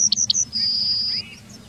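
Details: Tail end of a Yellowhammer song in the town of Wittlich, 2019: a few short high notes run into one long, steady, drawn-out whistle. Background is quiet.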